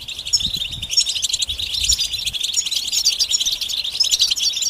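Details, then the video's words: Many European goldfinches twittering at once, their mating calls meant to excite males into song; a steady stream of bright, high chirps and liquid trills, with some soft low thumps during the first two seconds. "بتبتة جماعية رهيبة لتحفيز الحسون على التغريد والهيجان"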